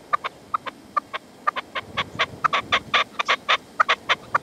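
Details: Decoy partridge (reclamo) calling at sunset in the sierra near Manzanares, 27 February 2014, while a wild male stays away: loud, harsh clucking notes in a rapid, uneven series that speeds up and grows louder partway through.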